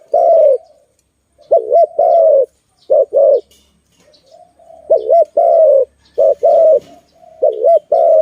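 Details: Malay dove, recorded during bird trapping, calling repeatedly in clean mid-pitched coos. Each phrase pairs a quick wavy double note with a sustained level coo. Several phrases follow one another with short gaps.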